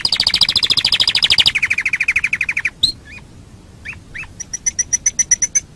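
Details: Master recording of canary song for training birds: rapid high trills that step down in pitch, a few swooping single notes, then a regular series of sharp clicking chips.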